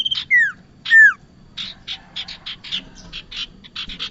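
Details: Bar-winged prinia sound used for luring birds into traps: two clear downward-sliding whistles open, followed by a series of short, evenly spaced scratchy chip notes, about one and a half per second.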